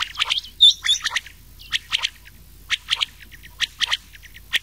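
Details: Rain quail and old quail voices combined as a summer night hunting lure; clusters of short, sharp high notes recur about every second, with a bright doubled whistle early on.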